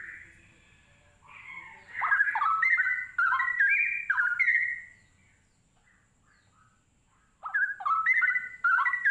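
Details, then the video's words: Cucak rowo, the straw-headed bulbul, delivers a fast run of liquid, gurgling whistles that rise and tumble, pauses a few seconds, then resumes with another bright, jumbled phrase. "Burung cucak Rowo sepesial. (spesial bird sounds)."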